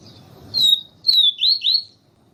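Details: Siu siu song of the papa-capim, Sporophila nigricollis, played with a calling female to warm up a male bird: a drawn-out high whistle, a pause, then three clear downslurred whistles in quick succession.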